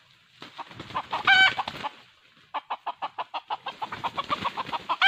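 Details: Decoy red junglefowl used in trapping, 2020: a brief loud crow-like burst, a pause, then a steady string of sharp clucks roughly three per second.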